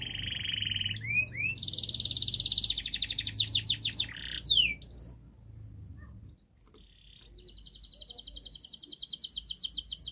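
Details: Canary master song used to prompt a silent canary to sing: fast trills and rolling buzzy phrases, high sweeping notes, a pause, then a long rapid high trill, over a low steady hum.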